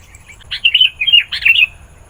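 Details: Sooty-headed bulbul singing vigorously, used to lure wild bulbuls: a short bubbly phrase of slurred, warbling notes, about a second long, over a quiet background.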